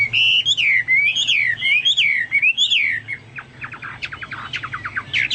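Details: Chinese hwamei singing, compared with Papuan or golden bulbul song: loud, rich whistles bending up and down in a wavy phrase, followed by softer scattered chips and short notes.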